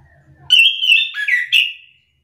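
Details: Orange-headed thrush lure song, meant to make other thrushes of its kind answer back excitedly. A single loud, sliding whistled phrase with quick varied notes follows a faint low hum.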